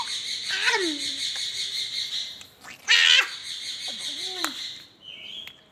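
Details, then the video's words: Pet rose-ringed parakeet talking: harsh, speech-like squawks and falling slurred notes, with a loud burst near the middle and a brief thin whistle at the end. "ringneck smart magical amazing sweet |king |parrot talking"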